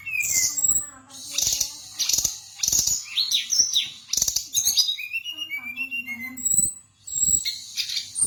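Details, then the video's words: Chattering brown-chested jungle flycatcher song with fill phrases: dense bursts of high sharp chips and buzzes, interspersed with short clear falling whistles and a few lower warbled notes. "Kumpulan Kicauan SRDC Gacor Nratak Nembak Isian BIKIN EMOSI Lawan"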